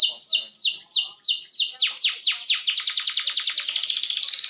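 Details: Canary song used to provoke rival birds: loud high sweeping notes descending from about mid-high pitch, slow at first then speeding into a rapid trill of downward slurs, rising slightly at the end.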